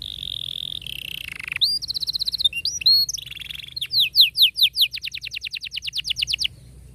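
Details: Singing canary used as a model for young canaries learning to sing: a held buzzy tone sliding down, whistled flourishes, then a long, tightly rolled trill of rapid rising notes that stops abruptly.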